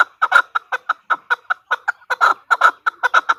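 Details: A female chukar partridge gives fast, somewhat irregular clucking calls, single and doubled chuk notes tumbling one after another at roughly two to three per second, loud and clear.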